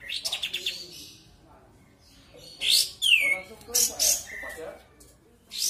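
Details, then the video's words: Sooty-headed bulbul played as a lure to restart singing in a bird that has gone quiet: a quick burst of six chirps, bright chattering notes, a clear downward-slurring whistle, then short high chirps. "Pancingan suara kapas tembak macet bunyi"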